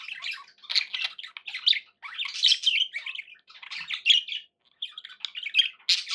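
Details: Pet budgerigars chattering: a nearly unbroken flow of buzzy warbles, chirps and squeaky notes with varying loudness and one brief lull.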